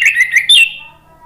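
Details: A brief burst of orange-headed thrush (anis merah) song, used as a lure to get a quiet bird singing: a few fast chirpy whistles and a sharp high note, trailing off.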